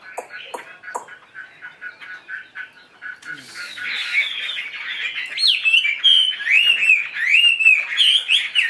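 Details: Tame caged Chinese hwamei fanning its tail: quiet scattered notes at first, then swelling into loud repeated zigzag whistled phrases with high sharp flourishes over a continuous warble.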